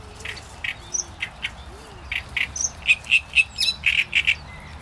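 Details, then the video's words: Singing great reed warbler: spaced, grating notes at first, then a louder sequence of rough, churring syllables repeated rapidly in twos and threes. Faint thin whistles from other birds sound underneath. "Trzciniak i jego śpiew"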